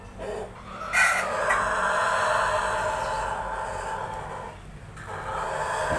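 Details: Ayam Ketawa, the laughing chicken, used as a lure call meant to make other birds answer: one long, loud, harmonic crow held for about five seconds, wavering slightly and dipping briefly near the end, with a faint hum underneath.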